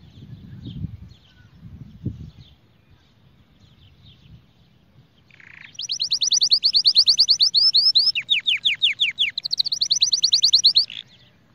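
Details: Canary singing for training young birds: a quiet stretch with low rumbles, then a short buzz and a long loud passage of rapid rising notes, falling slurred series, and fast trills, ending abruptly.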